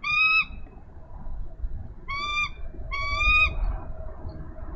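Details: Nesting female bald eagle in Minnesota, 3 May 2013, impatiently calling for her mate to take over nest duty: three bright, harmonic chattering bursts, one at the start and two close together later, over soft low background noise.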